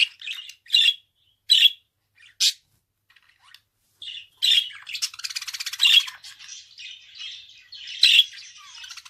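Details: Domestic budgerigar giving scattered sharp chirps and squawks, then a longer buzzy, rattling warble with fast pulsed notes in the second half.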